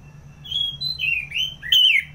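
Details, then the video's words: Ngeplong song of an orange-headed thrush: a run of smooth, sliding whistled notes that gets louder, ending in a strong downward-slurred whistle. "ANIS MERAH Ngeplong"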